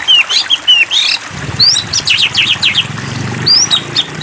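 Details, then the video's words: White-rumped shama (Copsychus malabaricus), a bird provoked into singing: varied high whistled notes and sweeping slurs, some steeply rising, in quick bursts, over a low rumbling noise in the middle section. "Pancingan Murai Batu !! Terbukti Ampuh Memancing EMOSI Murai Batu Agar Bunyi Gacor !!"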